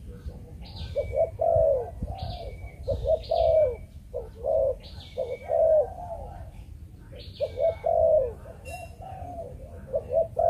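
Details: Captive-bred Malaysian spotted dove repeating its chụp chụp ô cooing phrase: quick paired coos ending in a longer sliding coo, recurring roughly every three seconds, while other birds chirp thinly above.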